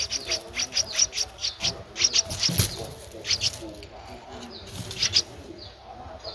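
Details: Nestling Streak-eared Bulbul, 13 days old, from Ubon Ratchathani, Thailand, 15 April 2023, uttering quick high chip notes in a dense run, then a few scattered downslurred squeaks with soft background rustle.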